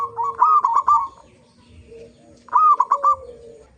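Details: Local zebra dove used as a lure for other zebra doves: two brief rolling coo phrases about two seconds apart, each a quick stutter of notes, with a soft lower tone between.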